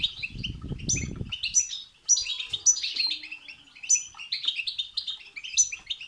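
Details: Goldfinch (European goldfinch) singing babtaba and sastasa phrases to set a goldfinch singing. Lively jingling twitter with sharp high accents. A low rumbling noise covers the first second, then the song runs on almost unbroken.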